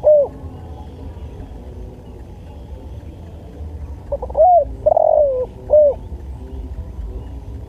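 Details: Spotted dove song, recorded as a training track for other birds. Opens with a single short mellow coo, then after a long pause comes a three-note cooing phrase, the middle note longer and gently falling. A low steady rumble runs beneath.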